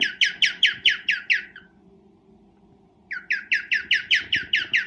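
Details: Cockatiel calling to mate while breeding: six quick, bright, harsh chirps, a silence of about one and a half seconds, then a strong run of repeated chirps to the end.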